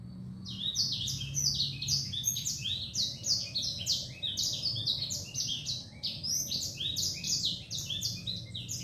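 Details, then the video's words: Sanger bird singing in a cungkok cage: a continuous, lively high twittering of quick sliding chirps and trills packed closely together, with a low hum underneath. "suara burung sanger"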